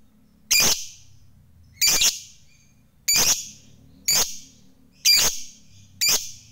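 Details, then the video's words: Fighter lovebird chattering to provoke rivals: six short, harsh, high bursts about one second apart, each a sharp broadband rasp, over a quiet low hum. "Lovebird Fighter Ngekek Panjang"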